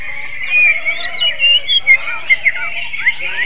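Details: Greater green leafbird song styled like a magpie robin: a jumble of whistled chirps and short squeaky slurs in quick succession, with a soft hum underneath.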